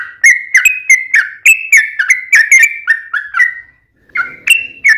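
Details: Yellow-vented bulbul song used as a lure to get other bulbuls singing, in the long rapid 'ropel panjang' style: bright whistled notes repeated in quick bursts, a short pause near four seconds, then resuming.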